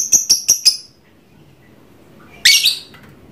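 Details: Pet trondol lovebird calling nonstop: four quick shrill high chirps in a rapid run, a short pause, then a harsh, buzzy double squawk, all bright and high-pitched over faint background hum.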